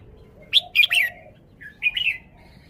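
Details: Caged red-whiskered bulbul showing off its song phrasing: a bright whistled burst of three quick slurred notes, a pause, then two warbling rising-falling notes, with faint low notes beneath.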